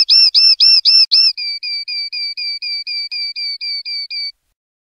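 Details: {'text': "Common linnet in clean 'limpio' song, 2021/2022: five loud, hooked whistled notes, then a softer run of about thirteen thin, even, slightly falling whistles at four per second, fading out."}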